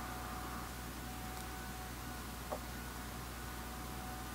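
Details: Quiet indoor hum with faint hiss and one soft knock, no animal heard.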